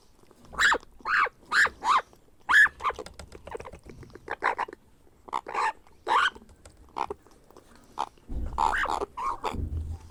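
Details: Begging grey parrot hatchling being hand-fed: a series of short, rhythmic raspy squawks, then softer scattered notes, ending in a burst of calls over a low rumbling handling noise.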